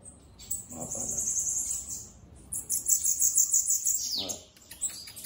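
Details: Loose bananaquit giving a sustained high hissing trill, then a rapid beaded trill that slides downward at the end, with faint handling noises underneath.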